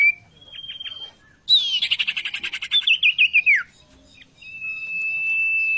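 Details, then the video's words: Vocal tutor song of an oriental magpie-robin: a few thin high notes, a loud rapid rattling trill ending in a falling slur, then a quiet pause and a long steady whistle. "sirtu guru vokal yang mantap"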